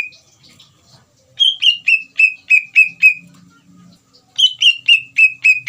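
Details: Greater green leafbird bait song meant to provoke a reply from another leafbird: one lone whistle, then two quick runs of six or seven bright downslurred whistles separated by a short gap, faint low hum beneath.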